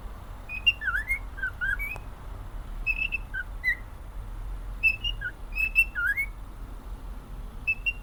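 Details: Whistled melody from a happy male pet cockatiel, with rapid runs of bright short notes, some swooping down then up, grouped into bursts with gaps of about a second, over faint low background hum.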